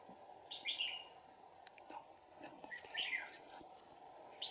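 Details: Red-whiskered bulbul fighting song from a decoy during trapping of a wild, high-crested bulbul with two decoys, 2/4/2019; two short warbled phrases about two seconds apart, with faint clicks and a steady high hum behind.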